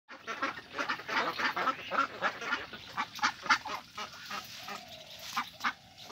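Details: Ducks at a pond, a mix of Mandarin ducks, mallards and Pekin ducks, giving harsh quacks in a rapid irregular series, several birds calling over one another, with a steady hiss in the background.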